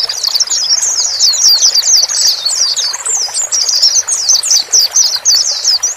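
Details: Male and female white-eyes, calls meant to calm a newly bought bird into its new cage; nonstop high-pitched twittering with rapid downslurred chirps, louder bursts near the end, faint background hiss.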